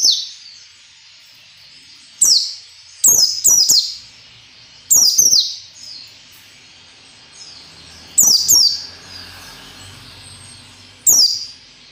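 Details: High-pitched white-eye song in the ngalas nembak manner, intended to get captive birds singing it fast: sudden sharp bursts, single or in quick pairs and triplets, separated by gaps of one to three seconds, with a faint high chatter between.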